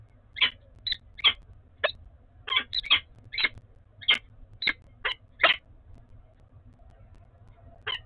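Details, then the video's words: A peregrine falcon in Oudenaarde, 11 February 2021, calls during pair bonding: about a dozen short, harsh, grating chips at an uneven pace, some doubled, over a low steady hum. "Peregrine Falcon - Bonding"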